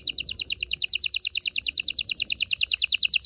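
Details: Canary singing to prepare females for mating: an even, fast rolling trill of bright doubled notes, about eight per second, steady throughout.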